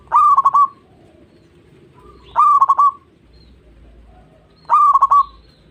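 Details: Zebra dove singing, played to stimulate other doves, to tutor young birds and to calm stressed ones: three identical phrases about every two and a half seconds, each a bright whistled coo with a rapid burst of pulsed notes.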